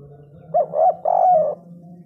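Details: Spotted dove with a big-voiced three-note 'kuk 3' call: two quick hollow notes followed by a long, drawn-out, slightly falling coo, over a low continuous hum.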